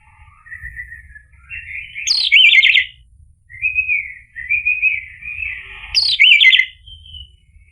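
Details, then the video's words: Orange-headed thrush singing, played as a lure to make a male answer: soft drawn whistles swelling into loud, squeaky, rapidly modulated warbled phrases, two such phrases about four seconds apart. "PANCINGAN ANIS MERAH agar NYAUT jadi BUNYI GACOR ikut NGEPLONG"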